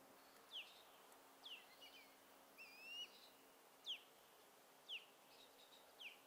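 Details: Juvenile stilt sandpipers at Foulweather Bluff Preserve, Kitsap County, Washington, recorded at extreme distance in heat haze. They give thin, high, slurred descending notes about once a second, with a brief rising whistle, over steady background noise.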